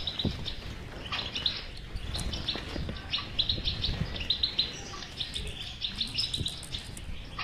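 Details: European goldfinch singing a batbata-style chattering song for encouraging a silent goldfinch to sing: continuous rapid twitters and tinkling notes, busier in the second half, with low thumping noises underneath.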